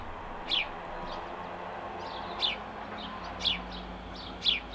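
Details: Single male house sparrow chirping: four sharp, descending chirps spaced about a second apart, with softer echo-like notes after each, over faint hum.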